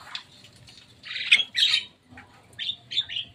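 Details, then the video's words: Javan myna visiting and playing on top of a cage, giving a few scattered harsh, squeaky chirps, with a loud burst of grating notes midway and three short high chips near the end, over a low background hum. "Jalak kebo datang main di atas kandang."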